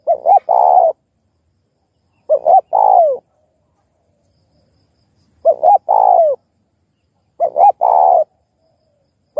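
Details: Spotted dove calling to excite other doves into song, covering thúc, gù and gáy gọi styles: four repeated phrases of a brief double coo and a long, rich, falling coo, roughly every two seconds, with silence between.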